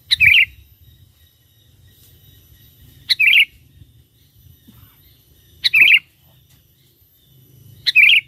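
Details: Lively sooty-headed bulbul song, used as a lure for wild bulbuls: four short, bubbly phrases of quick descending notes, spaced about every two and a half seconds, with a quiet low background.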